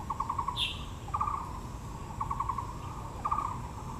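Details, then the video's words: Blue magpie at Yangmingshan Park in Taipei among blooming azaleas: short rattling bursts of five or six quick pulses repeat about once a second, with a brief higher whistled note early on, over steady low outdoor rumble. "台北 陽明公園 (藍鵲+杜鵑花)(Natural sound)"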